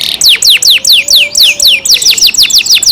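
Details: Loud song of a captive canary: a steady run of clear whistled notes, each sliding sharply downward, repeated about four times a second.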